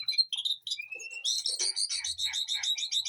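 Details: White-rumped shama kept in a garden aviary behind a house. A short rising whistle leads into a rapid, repeated chattering trill.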